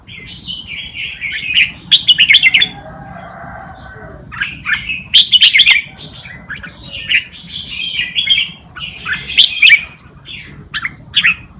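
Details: Tutor song in wild Malutin style from a red-whiskered bulbul, for teaching young birds: bursts of chattering warbled phrases separated by pauses, with a faint low hum between phrases.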